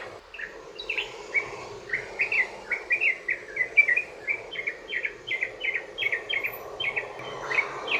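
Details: Sooty-headed bulbul in long rolling song meant to draw other bulbuls into answering: a steady string of short warbled notes, about two per second, slightly rising and falling, over faint background hiss.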